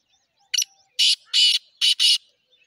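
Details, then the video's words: A titar, or black francolin, giving a loud, scratchy call: a brief opening note followed by two drawn-out rasping notes and a quick closing pair. The notes are broad and harsh and are heard over a quiet background. "titar sultan voice"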